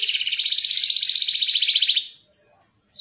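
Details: Atlantic canary singing in the 'ngerol' style, a clear-voiced rolling song used as a lure and tutor for young canaries. A fast, even trill of rapid notes lasts about two seconds, then silence and a brief high note at the end.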